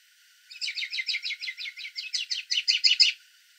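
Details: American robin perched on a fence in Southern Ontario, Canada, giving a very soft call: a quick run of about seventeen high, chattering notes, roughly six a second, growing slightly louder toward the end.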